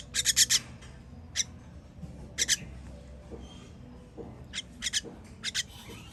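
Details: Nestlings begging during feeding on 21.06.23: an opening burst of rough rasps, then sparse, softer pairs and short clusters over low background noise.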